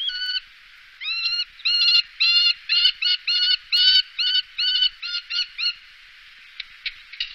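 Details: Common kestrel in the Wittlicher Tal, 2018: a string of short, upward-inflected, ringing high notes, about two per second, fading to a few faint clicks at the end.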